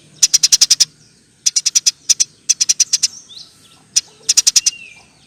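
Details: Eurasian tree sparrow giving a long 'nyerecet' chattering song: bursts of rapid, sharp high chips, five to seven per burst, separated by short pauses, with a few single chips between.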